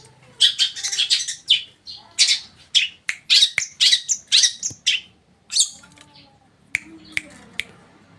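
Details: East Javan long-tailed shrike, tame, singing as a lure for other shrikes to reply: dense bursts of harsh, scratchy chatter at a brisk pace, then a pause and a few isolated sharp ticks.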